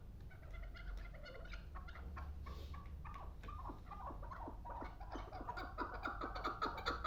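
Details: Two-year-old Pamir chukar partridge kept as a hunting bird, giving a building series of clucking chuk notes, faint and scattered at first, then louder and quicker toward the end, over a steady low hum.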